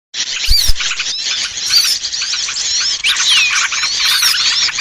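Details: Lure call of small birds, used to draw hard-to-lure small birds down: a dense chorus of high, thin, twisting chirps and squeaky whistles overlapping continuously, with a few low thumps near the start.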